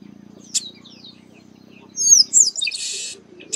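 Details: Chestnut-capped blackbird in the sertão of Bahia, northeastern Brazil, giving high whistled slides followed by a buzzy rasping burst; a low steady hum fills the first two seconds.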